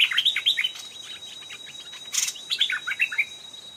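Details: An old, aggressive wild Stripe-throated Bulbul responding to a caged decoy, coming to the trap twice. Quick bursts of short chirping, warbled notes repeat in two phrases separated by a pause, over a faint steady high whine.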